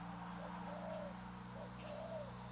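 A spotted dove gives soft, low, rounded coos, about three in quick succession, over a steady background hum.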